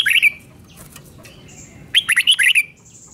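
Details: Red-whiskered bulbul giving a doubled song meant for young birds to copy: a short warbled phrase, a pause, then a quick burst of about six clear whistled notes rising and falling, with faint twittering between phrases.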